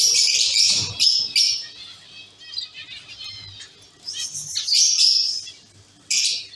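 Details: Zebra finches from a caged breeding colony, heard as a busy chorus of short, nasal, buzzy chirps and high tweets in quick irregular bursts, with brief quiet gaps and faint wing flutters between calls.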